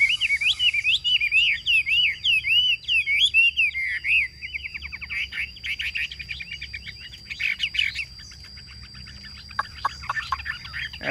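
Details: Caged Chinese hwamei in Vietnam, singing in the ngũ trường style: fast looping whistled phrases sliding up and down, then scattered chattering and sharp downward notes, with a steady high electronic tone behind.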